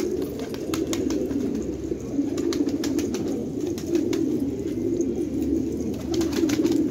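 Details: Fighting tumbler pigeons (jangi parshi) at a village loft in Khanabad, Afghanistan. Deep, throaty cooing runs for several seconds in rolling waves, rising and falling in loudness. Sharp clicks and rustling sound throughout.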